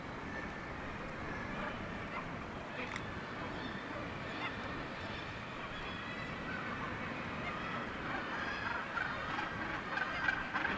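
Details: Northern gannet colony on the steep cliff face of Syltefjordstauran, Varanger, Norway: a dense background of harsh, grating calls from many birds, merging into a steady rumbling din with occasional louder cackles standing out.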